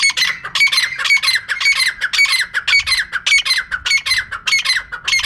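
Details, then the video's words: Continuous rasping squawks from a female francolin, packed closely at roughly two per second throughout, recorded as a clear lure sound for catching birds. "Female Teetar ka clear and saaf awaz"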